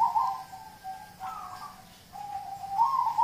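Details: Zebra dove of a local strain, recorded as a prompting track for kept songbirds; gentle level coos alternate with rolling, bubbly trills, the phrases running close together with little else audible.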